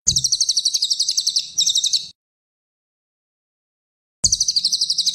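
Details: Cililin songbird described as a champion, recorded as a masteran training song: two bursts of rapid, high, buzzy trills with pulses about ten per second, the first broken by a short pause, separated by two seconds of silence.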